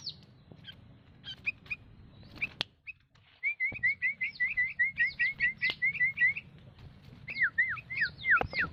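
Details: Sooty-headed bulbul: scattered chirps and a click, then a quick, even series of short rising whistled notes, ending with louder, longer downslurred whistles.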